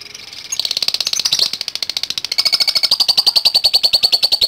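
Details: Lovebird answers a lure recording with rapid typing-like chirps. They start rough and buzzy, then become clean, evenly spaced high clicks.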